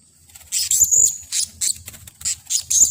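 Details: Blue-crowned hanging parrot (Loriculus galgulus), agitated calls: anger after being lured.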